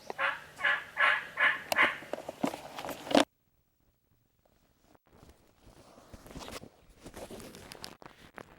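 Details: During a 2026 turkey hunt at Bull Shoals Lake, a wild turkey gobbles from private land near Corps of Engineers public land: a loud, rapid rattle of throaty notes for about three seconds, then a sudden hush and faint outdoor rustling.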